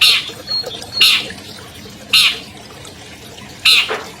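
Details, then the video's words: Albino long-tailed shrike, a 2020 champion, used to coax silent shrikes into song: loud harsh chattering squawks repeated at roughly one-second intervals, each falling in pitch. "MASTER SUARA CENDET ALBINO JUARA 2020 #AMPUH MEMANCING CENDET MACET BUNYI"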